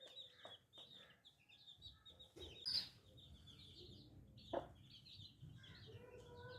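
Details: Small chicks give high, slightly downslurred peeps, while lower clucks and a few loud knocks and rustles sound from nearby.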